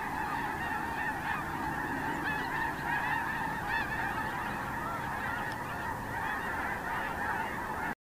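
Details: Snow geese at Terranova on 9 October 2017, a huge flock giving steady overlapping honks and yelps, a dense unbroken clamour that cuts off abruptly at the end.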